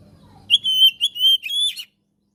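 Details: Gacor kacer (Oriental magpie-robin) song for training and prompting silent birds: one phrase of bright, level whistled notes in quick succession, closing with a slightly higher twittering rise, over faint low background hum.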